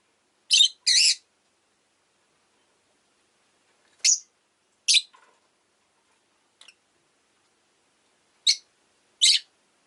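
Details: Shrill, clipped chirps from a pet rosy-faced lovebird, a doubled note first, then isolated sharp tweets scattered irregularly over ten seconds amid quiet.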